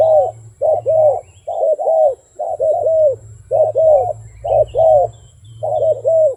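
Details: A wild dove repeats soft doubled coos, each pair gently rising and falling, in a regular rhythm across the recording over a constant low hum.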